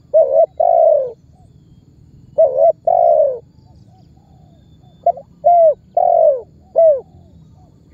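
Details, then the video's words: Calling-and-pressing lure call of a spotted dove, used to prompt other birds to answer; short doubled coos lead into a long, sagging mellow note, repeated in three bursts separated by silent gaps. "SUARA BURUNG TEKUKUR MEMANGGIL DAN MENEKAN MEMBUAT BURUNG LAIN IKUTAN BUNYI"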